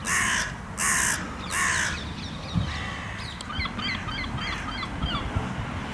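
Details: A carrion crow from a territorial pair in a park, fed nuts in cold weather, gives three harsh, hoarse caws about a second apart, followed by faint small-bird chirps and steady low rumble.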